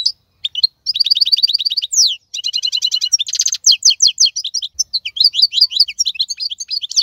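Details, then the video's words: Wild European goldfinch recorded in the 2022 season sings an energetic medley: rhythmic repeated chirp series, a crackling buzzy passage around three seconds, then bouncy downslurred twitters to the end. "اقوى مقنين خلوي - هذا الحسون الاقوى في 2022"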